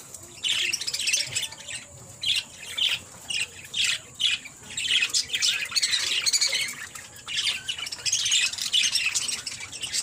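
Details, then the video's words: Six-month-old male pet parakeet chatters in rapid bursts of harsh, scratchy squawks and chirps, repeated almost continuously with brief pauses between runs. "my 6months old male parakeet"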